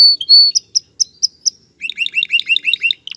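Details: Male canary singing to stimulate a female to mate and build a nest: clear whistled notes, a short series of spaced high pips, then a fast run of rising chirps repeated about five times a second, ending in a buzzy burst.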